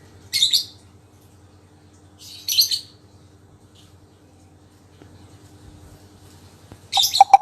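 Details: Pet lovebird, tested after recovering from illness, giving three bursts of harsh, high chirping a couple of seconds apart, with steady low hum in the background.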